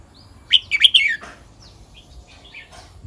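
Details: Red-whiskered bulbul in the song style called kwik-jok-khwai-liang. It gives a short burst of bright, bubbling whistled notes, then a few faint chirps over a low background rumble.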